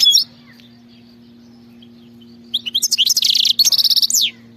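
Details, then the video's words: A single brief high note, then a long silence over a faint steady hum, before the European goldfinch breaks into buzzy pulsed trills and a falling sweep of its wild-type khalawi song. "غناء خلوي"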